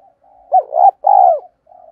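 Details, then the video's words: Decoy spotted dove cooing to lure wild birds: a short, soft lead-in, then two loud, low, hollow coo phrases, the second longer and steady, ending in a quieter trailing note. "Chim Cu Mồi Thúc Gù Bài Bản Sung Chuẩn Kích Bổi"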